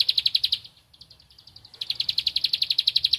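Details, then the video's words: Bar-winged prinia calling out for a rival: a quick burst of high ticking notes, a quieter fainter stretch, then a loud, sustained rapid series of sharp chips. "Ciblek Padi Cari Lawan Gacor Temabakan Ngempel"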